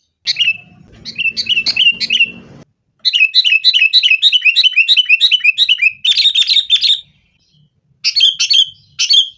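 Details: Sooty-headed bulbul in fighting song, used to coax caged birds into singing: rapid runs of bubbly, slurred whistled notes, some stretches fast and continuous, with a faint low hum at the start.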